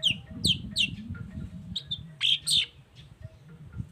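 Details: Long-tailed shrike of the type known as cendet baham, singing to lure other shrikes into singing; short sharp high whistled notes in small groups, over a low steady hum.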